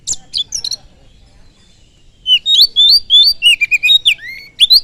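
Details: Oriental magpie-robin song used to fire up other birds: a few sharp chips, a short silence, then a lively run of loud whistled notes rising and falling in quick succession.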